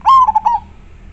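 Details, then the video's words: Single clear song phrase from a local Indonesian zebra dove, majapahit type: a strong held coo, then three short bubbling notes trailing away within under a second. "Perkutut lokal gacor sangat jernih majapahit suara nya bikin adem"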